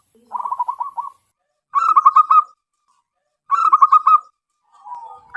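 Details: Wild local zebra dove with a large, ringing voice, used to lure other doves: three separate bursts of rapid, bubbling coo notes, each under a second long, spaced about two seconds apart.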